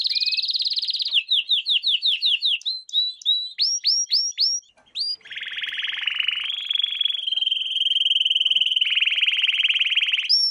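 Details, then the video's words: Lesson song of a canary for teaching young canaries: a run of repeated downslurred notes, several high upswept whistles, then a long sustained buzzy trill changing pitch in steps. "Canary Singing - lesson 16"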